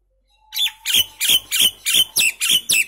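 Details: Common myna singing a run of seven rasping, broadband notes with a falling whistled tone inside each, evenly spaced about three per second, with a faint steady low tone behind.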